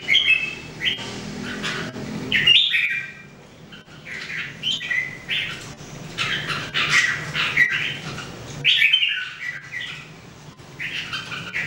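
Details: Daily singing training of three caged Red-whiskered Bulbuls (jambul): busy overlapping whistled and chattering phrases, nearly continuous, with brief quiet gaps and a low hum behind.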